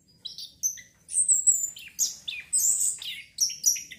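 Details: Orange-headed thrush song used to stimulate breeding urge: varied high, thin whistles and sharp chirps delivered in quick separate phrases, some drawn out and slurred, in a clean recording.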